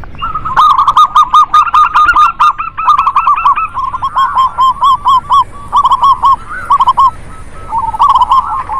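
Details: Lively chorus of local zebra doves meant to stimulate doves that are slow to sing: loud, clipped cooing notes in quick runs, repeated over and over by several overlapping birds throughout.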